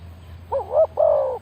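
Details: Single phrase from a decoy spotted dove used to lure wild birds: a short quavering rolled coo followed by a longer, smooth, hollow falling note.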